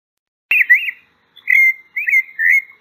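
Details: Pale-breasted thrush, known locally as sabiá-poca or sabiá-branca, singing: a short run of clear, slurred whistled notes, some wavering, with brief gaps between them. No other sounds are heard.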